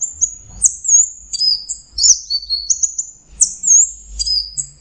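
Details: Orange-headed thrush, known as anis merah, delivering a fast sequence of very high sweet whistles, slurred up and down in short phrases about every half second, with little background noise.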